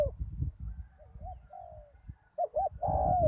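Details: Spotted dove decoy on bare ground following a storm: soft wavering coos build into paired looped notes and a long slurred descending coo, backed by low rumbling noise.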